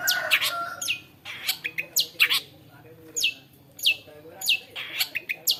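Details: Long-tailed shrike (Lanius schach), locally called cendet, a clever bird said to imitate many other birds' voices, gives varied bursts of sharp, high chirps and quick descending whistled notes, separated by short pauses over a quiet background.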